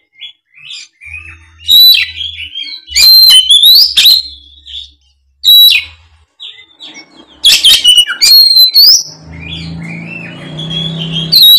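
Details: Fighting-mode Oriental magpie-robin pouring out its full repertoire as a lure for reluctant singers: rapid sequences of sharp whistles, slurred rising notes and scratchy chatter in repeated bursts, with a faint low hum near the end.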